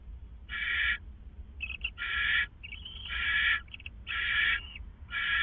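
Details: Before dawn on April 27, 2014, at 4:49 a.m., two owls at a hideout trade rough hissing rasps, some long, some clipped short and overlapping, irregularly spaced over a faint low rumble.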